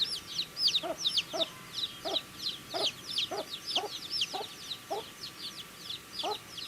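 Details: Chicks chirping as they eat, a crowded chorus of shrill, rapid peeps overlapping constantly, punctuated by rhythmic pecking knocks roughly every half second.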